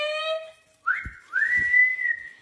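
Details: Pet talking parrot at home giving loud clear whistles: a steady harmonic tone, then a sharp upslurred whistle and a long rising-then-level whistle, with a person talking to it about chicken Wednesday and a shower.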